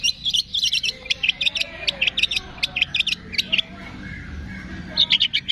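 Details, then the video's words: Training song of a long-tailed shrike with fill-ins from cililin, fighting sparrow, lovebird, tengkek and kapas tembak: clusters of sharp, high chirping notes in uneven bursts, a quiet gap, then a final quick flurry. "MASTERAN CENDET ISIAN CILILIN, GREJA TARUNG, LOVE BIRD, TENGKEK, KAPAS TEMBAK"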